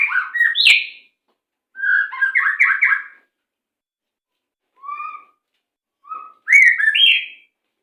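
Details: Captive-training master song of a white-rumped shama, 'macet sepid rapat' style: varied rich phrases of slurred and trilled whistles, some rising sharply, delivered in bursts of about a second with short silent gaps.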